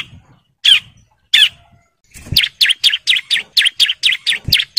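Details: Male bar-winged prinia in breeding condition calling females: two isolated harsh notes, then a fast regular series of sharp chirps with a couple of low thumps.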